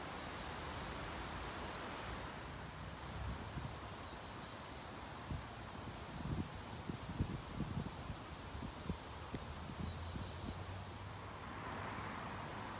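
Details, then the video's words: Great tit fledglings begging for food in a wooded grove in Haga, Sundsvall, on 2 July 2023, give three short bursts of thin, very high, rapid notes several seconds apart over steady wind or distant traffic. "Talgoxeungar tiggläten"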